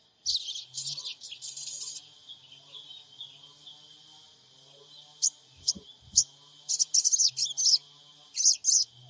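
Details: Sogon bird, trotol type, recorded on an Android phone in Purbalingga as a lure to provoke other sogon into calling: bursts of high, scratchy, rapid chirps in clusters separated by quiet stretches, with a faint low hum.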